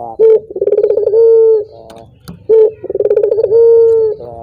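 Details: A Barbary dove gives two rolling coos to get other doves singing. Each has a short opening note, a pulsed throbbing middle and a long flat ending, with a faint low hum behind.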